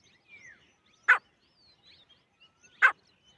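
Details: Female grey francolin, known locally as grey teetar, giving two short harsh single notes about a second and a half apart, with faint thin calls of other birds between them.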